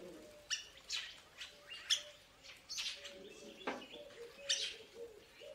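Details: Purple starling, also called purple glossy starling (Lamprotornis purpureus), gives harsh, scratchy chirps at an uneven pace of about one per second, over a faint low steady tone in the background.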